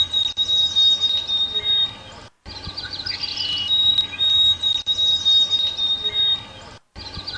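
White-throated Sparrow song: long, pure, high whistled notes held steady, with a few brief lower whistles between, repeating through the clip.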